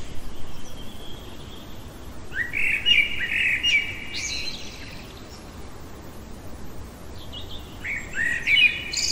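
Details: Night-singing common blackbird: a rich fluty warbled phrase ending in thin high twitters, a long pause, then another fluting phrase with squeaky high notes, against soft background hiss.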